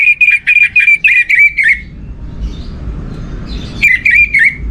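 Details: Orange-headed thrush lure song meant to stimulate other birds: a string of short, evenly repeated whistled notes, a pause filled with low hum, then the repeated notes resume.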